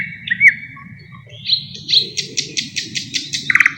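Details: Song of a thrush nightingale, which imitates other bird species: a steady whistled note, then a fast rhythmic series of about ten bright pulsed notes, ending in a lower dry rattle, with faint low background noise.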